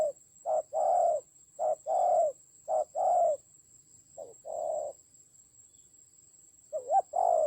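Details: Fighting decoy spotted dove, Vietnamese Central Highlands, 19/10/2020: short-long coo pairs repeated unevenly, about a second apart, a pause, then a wavering note before another coo; thin electronic whine throughout.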